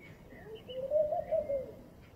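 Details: Morning call of a laughing dove, one mellow, gently undulating phrase of soft coos that swells and fades over about a second, with faint high twitters from other birds behind.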